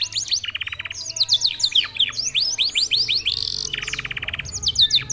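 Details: Canary whose singing resembles a songbird from Senegal: fast series of descending whistled sweeps, interspersed with dense buzzy rolled trills, repeated in quick bursts.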